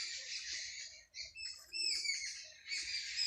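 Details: Village sparrows at dawn: a softer tangle of high chirps and short whistled notes, thinning out midway before the chatter swells again.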